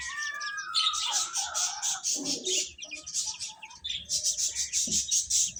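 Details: Chickens' chicks eating and chirping loudly: a downward-sliding whistle opens, followed by a rapid, continuous stream of high peeps.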